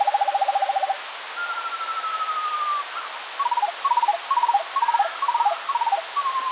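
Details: Eurasian skylark song recorded in the morning and slowed to a quarter of its speed: deep, even trills, one long gently falling whistle, then regularly spaced clusters of short notes.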